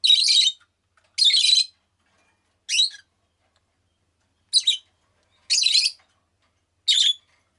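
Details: Rosy-faced lovebird kept as a pet, repeating shrill, grating chirps about once a second, each a short harsh burst with brief silences between.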